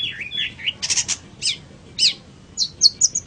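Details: A long-tailed shrike sings, recorded as tutor material for other birds. It gives a brief run of mixed notes: a wavering whistle, harsh scratchy bursts, then short high chips and slurred whistles.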